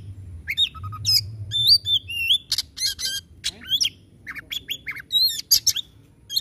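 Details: White-rumped shama singing a varied phrase of curling whistles and sharp slides broken by loud raspy chattering bursts, the phrases running almost continuously.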